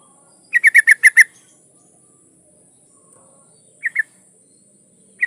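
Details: A breeding-condition female yellow-vented bulbul calls for a male, giving one fast string of six ringing notes followed after a pause by a short pair of notes and a single clipped note.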